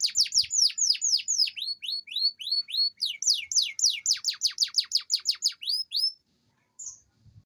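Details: Canary singing a long rolling song used to stimulate lazy canaries to sing: rapid series of high descending sweeps, shifting into faster lower-reaching trills, about six seconds of continuous rolling before a pause and a brief final note.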